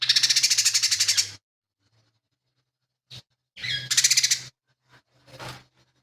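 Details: Energetic lesser green leafbird song packed with mimicked material from sparrow, kingfisher and cililin: a long rasping pulsed rattle, a few short clipped notes, then another buzzy rattle and a softer slurred phrase, against a faint low hum.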